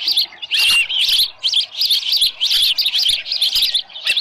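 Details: Osprey calling at the nest at Dunrovin Ranch on the morning of 24 July 2018, with a headless fish. Rapid, insistent high chirps come in close succession, each a sharp, slightly wavering whistle, nearly continuous throughout.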